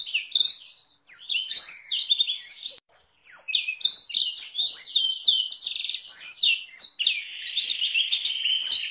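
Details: Canary with Blackthroat roll variations singing a tutor song for training songbirds: high twittering phrases with two brief silent breaks early on, then a sustained buzzy rolling trill under scattered sharp whistles.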